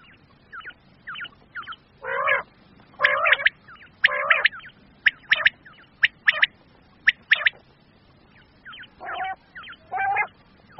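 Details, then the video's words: Common quail in Pakistan, recording of male and female quail sounds used to lure birds when hunting: quick, bright triple notes repeated irregularly, mixed with short harsh rasping bursts, no other sounds. "common quail/ new Batair ki Awaz"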